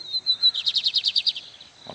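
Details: Lined seedeater (bigodinho) kept by breeders, described as a tough 'casca grossa' bird in full form, singing hard: a thin steady whistle leads into a rapid series of about ten buzzy repeated notes, then stops abruptly.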